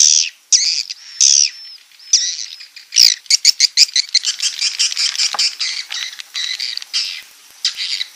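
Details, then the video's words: Swiftlets' roosting call used as a nest-house lure, 2022: a few drawn-out buzzy squawks, then a fast, rattling series of clipped high chirps repeating several times a second before slowing. "suara inap burung walet"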